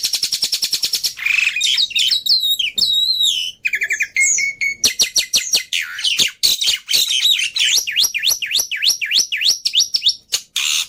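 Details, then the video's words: Black-winged myna in a training lure and tutor track full of varied, easily copied phrases. Rapid ticking opens into a dense run of slurred whistles, squeaky notes and fast repeated chips. "Pancingan Plus Masteran Burung Jalak Putih full Isian Mudah Di Tiru"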